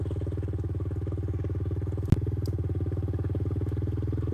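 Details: A motorcycle engine runs steadily in a low, pulsing drone, with a single sharp clatter midway through.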